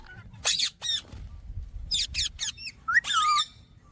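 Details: Indian ringneck parakeet giving a few harsh, buzzy screeches in quick pairs, then a long whistled note that climbs and slides down, over a quiet low rumble.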